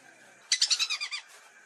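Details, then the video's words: Lesser whistling duck lure call: a single burst of about seven quick, high whistled notes over just under a second, fading slightly toward the end, against faint background hiss. "Suara Pikat Burung Belibis"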